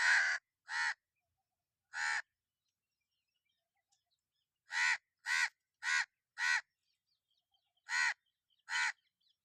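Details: Crow giving harsh, hoarse caws with a broad, rasping tone: three spaced calls, a pause of about two seconds, then a faster series of seven. The setting is otherwise quiet.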